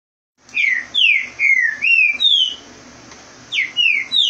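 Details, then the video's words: Green-winged saltator in Rio de Janeiro, fast song driving off another bird: loud clear whistled notes sliding down, in quick bursts of two to three, about 150 per minute, with a short pause mid-phrase. "Trinca ferro rapido corre o outro"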